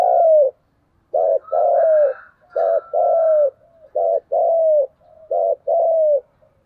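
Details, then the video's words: Spotted dove spurred into a challenge coo: four loud, resonant phrases, each a clipped note then a longer slurred note, repeated about every 1.4 seconds, with a faint higher whistle from another bird early on. "cu gáy thúc gù// Cu gù đấu sung nhất"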